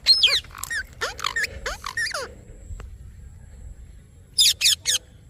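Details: Parrot chirps in a rapid cluster of sharp, sliding squeaks, falls silent for about two seconds, then gives three quick high chirps.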